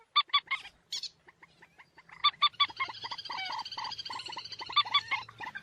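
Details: Common moorhen calling: short, nasal, harmonic notes in quick pairs and groups, then a longer busy run of stacked, honking notes with a faint low hum behind.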